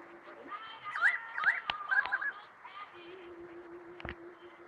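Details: A currawong sings after a small rain shower: a short run of loud, ringing whistled notes that slide up and down, with sharp taps of rain on a tin roof and a low steady hum behind.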